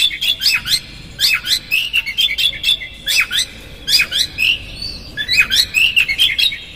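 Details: Oriental magpie-robin singing coarse, varied phrases as a lure to rile another bird; repeated clusters of quick descending and rising whistles roughly every second, with brief gaps.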